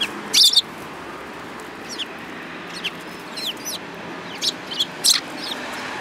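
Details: Several cute sparrows, one with a yellow beak, recorded 29 January 2018; short high chirps come in scattered clusters, a few sharp calls standing above steady background hiss.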